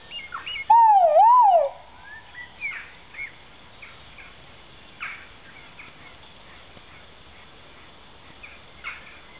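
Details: Great argus pheasant giving one loud, clear, wavering whistled note that rises and falls twice over about a second, followed by faint, scattered chirps of other birds in the background.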